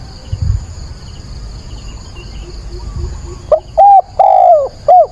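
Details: Decoy spotted dove gives its calling coo at dawn, 22 October, to rouse wild doves; after quiet with faint insect chirps comes one four-note phrase of low mellow coos, the third long and sliding downward.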